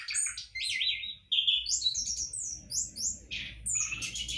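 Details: A captive-bred orange-headed thrush kept in a hanging cage pours out a rapid, varied run of high whistles, slurred trills and scratchy notes, with faint low rumbling behind.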